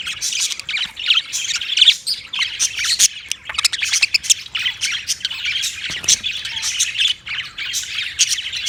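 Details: Budgerigar flock twittering nonstop: a thick, buzzy warble broken by sharp clicks and squawks, the intensity rising and falling throughout.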